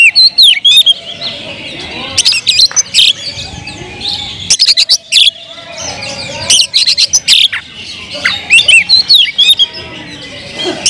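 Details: Loud, hyperactive singing of a caged Oriental magpie-robin meant to rile other magpie-robins: fast strings of clear upslurred whistles mixed with rasping clicks and scratchy notes, phrases tumbling one after another without pause.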